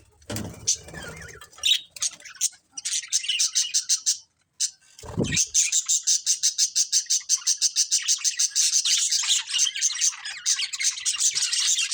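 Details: Breeding pair of budgerigars chirping: after a few scattered notes and low thumps early on, a dense, fast run of high, buzzy chirps and warbling notes repeats several times a second for the last six seconds.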